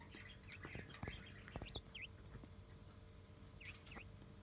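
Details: A budgerigar scolds a pet button quail that pecked at it, in angry protest: scattered sharp, bending chirps in short bursts over about four seconds, with soft clicks, taps and a low room rumble.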